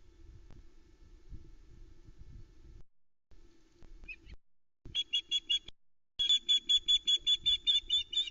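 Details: Osprey alarm calling at the Loch Arkaig nest, Scotland, 12 July 2020, around 15:58 as an intruder appears when a trout is delivered: a fast run of sharp, high whistled notes, a short burst then a longer series, over a low steady hum.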